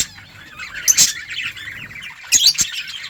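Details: Budgerigars in a colony, soft warbling chatter in the background broken by two louder bursts of sharp chirps and wing-flapping noise.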